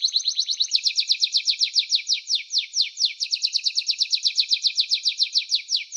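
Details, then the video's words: Canary song: a brief fast trill gives way to a steady series of quick downward-slurred high notes, roughly four per second, continuing evenly to the end. "Canary-Canario Singing 2017(Kanarya Ötümü)"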